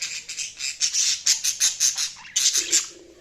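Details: Budgerigar chatter of loud, grating rapid squawks repeated several times a second, then a short pause and renewed squawking with a low buzzy note.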